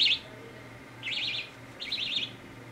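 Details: Young budgie chick during a head scratch gives three quick, high, trilling warbles, the later two longer and wobbling, over a faint indoor hum.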